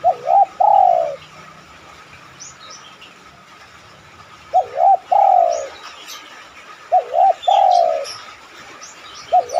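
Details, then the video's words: Spotted dove cooing, played as a lure to prompt other doves to coo: low two-part coo phrases repeated about every two seconds over steady background hiss and a constant hum. "tekukur mana yang ga tergoda bunyi manggung..pancingan anggungan terbaik."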